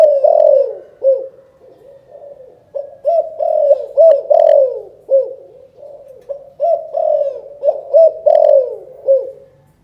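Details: Spotted dove from Can Tho, Vietnam, performing its 'chụp chụp ô' calling coo. Phrases of deep, rolling coos repeat steadily almost without pause, mixing loud accented notes with softer, trailing ones.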